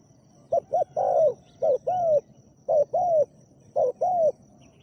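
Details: Captive decoy spotted dove used in Thailand to lure a wild dove, giving a deep-voiced 'khu ang' coo: a short note then a longer, slightly falling hoot, in phrases of two or three notes about once a second, with a faint steady hiss behind.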